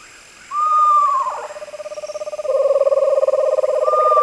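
A screech owl gives a whistled, slightly falling note, then a long, steady trill of rapid, mellow notes. A higher whistled trill joins near the end.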